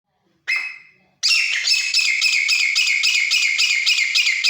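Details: Grey francolin, a wild-caught desi bird now kept caged at home, gives a harsh, loud call: one short note, then a rapid run of ringing, rhythmic notes repeated about three to four times a second.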